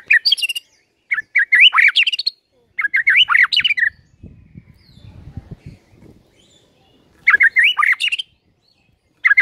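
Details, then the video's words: White-rumped shama singing, used as a morning lure to make other birds sing: rich varied phrases of whistled, slurred notes in bursts of about a second, separated by pauses, with a quiet low rumble between phrases. "Pancingan PAGI HARI 100% Efektif bikin GACOR dengan suara Murai Batu BONGKAR ISIAN"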